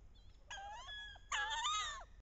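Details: Wood duck hen in late October on a bayou, during mating ritual with paired birds, giving two drawn-out, squealing whistles that rise and waver, the second louder and richer, over a quiet background.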